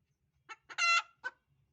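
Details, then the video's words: A hen gives a loud, harsh cackle of two short clucks, a drawn-out squawk, then one more cluck within about a second, making noise to lay eggs. "The hen is making noise to lay eggs || مرگی انڈے دانے ک لیے شور مچا رہی ہ"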